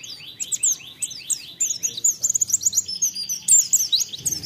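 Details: White-eye song used to prompt other birds to sing quickly: a continuous stream of rapid, high, sweeping chirps and trills, growing denser toward the end, with faint low noise underneath.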